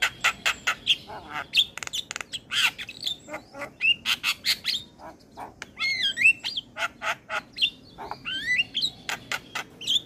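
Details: Javan myna song from a training recording meant to make captive mynas sing: a dense run of harsh squawky bursts and rasping notes, roughly three per second, with bright whistled slurs and wavy warbled phrases mixed in.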